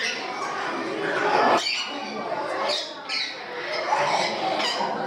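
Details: Parrots in an aviary in Gdańsk, Poland, giving harsh, overlapping squawks and screeches against a steady background of many calling birds and people's voices.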